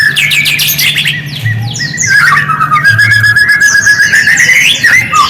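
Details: Lure song of a white-rumped shama for triggering a reply from other shamas: fast chattering notes and a long rising whistled phrase, continuous and loud, with a faint low hum.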